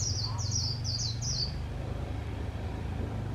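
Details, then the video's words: White-eye kept as a trapping decoy gives a quick burst of five or six thin, high, descending chirps in líu style, then falls silent. A low steady hum sits beneath. "Khuyên mồi líu cực hay - Mata puteh bird singing"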